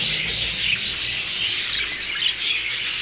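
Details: Newly acquired Hogoromo budgerigars, several birds together, give a dense, continuous stream of high, scratchy chirps and warbled chatter that overlap without pause, with brief brighter squeaks standing out now and then.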